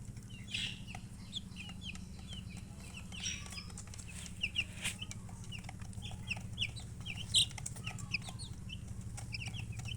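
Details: Scattered high, thin peeps of baby chickens over a strong low droning hum, the chirps softer and spread across the recording with a few sharp clicks.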